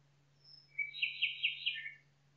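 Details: Nightingale singing in a forest: a thin high whistle, then a rising whistled note leading into four loud, evenly repeated notes about a quarter second apart, ending in a short falling phrase, over a steady low hum.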